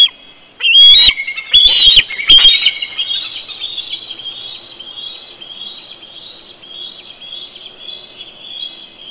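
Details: Close, loud bursts of high piercing calls from a bald eagle at its Big Bear nest at dawn, three sharp outbursts in quick succession, followed by continuous twittering of other birds.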